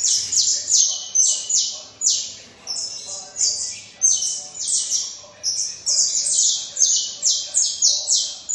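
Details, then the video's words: Long, vigorous run of saffron finch song, around twenty-five piercing, high chirps falling in pitch, repeated rapidly and steadily over more than eight seconds. "canário da terra cantando muito"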